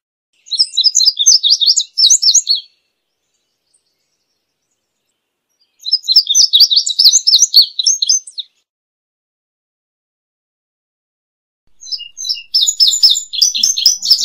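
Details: Three song bouts from an indigo bunting spaced roughly five seconds apart, each about two seconds of rapid high doubled chirps and sweeping notes, bright and jumbled, with silence between.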